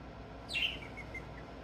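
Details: A budgerigar exploring a small cage gives a brief, bright chirp that sweeps down, followed by a few faint twitters.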